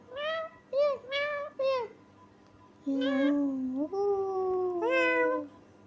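A parrot mimics a cat's meow, giving nasal, harmonic-rich cries and short talking-like syllables.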